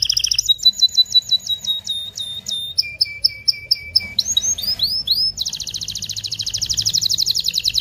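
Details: Vigorous canary song intended to excite the female and male for mating: a series of sharp repeated notes, a lower steady whistled run, a few looping sweeps, then a fast buzzy high trill.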